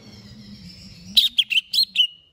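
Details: Greater green leafbird, a cage bird ready for a singing contest: after a faint low hum, a quick burst of five or six sharp, high chirped notes, each dropping slightly, ending on a thin trailing whistle.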